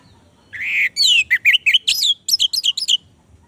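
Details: Song of an Orange-headed thrush used as a lure for a silent kept bird: an opening buzzy note, then quick rising and falling whistled slurs in a fast, jerky sequence of about ten high notes.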